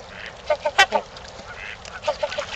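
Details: Mating-time Trumpeter swans in Ann Arbor's Gallup Park give a brief series of short horn-like honks. One louder call stands out near the start, and a softer trio follows at the end.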